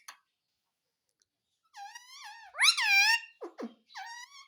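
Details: Indian ringneck parakeet saying what is claimed to be "mummy papa": long, wavering, nasal voice-like phrases that rise and fall, a louder middle syllable, and a couple of short, low, gruff notes.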